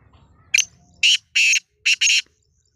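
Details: Black francolin calling in Sindh, Pakistan: loud, harsh, grating notes, one short note followed by two longer rasping bursts, a pause, then two more, over faint low background noise.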